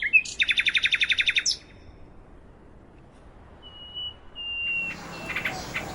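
A Common Nightingale sings a fast run of about a dozen loud, throbbing notes, pauses, then gives a long pure whistle and a jumble of sharp notes.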